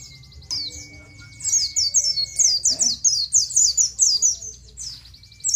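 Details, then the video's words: Oriental white-eye, nGalas song style used to teach captive birds: after a quiet start with a thin steady tone, a rapid volley of sharp, high slurred chirps runs for about three seconds. "Ciet ciet ciet. suara burung pleci nGalas full materi. ampuh buat masteran burung pleci"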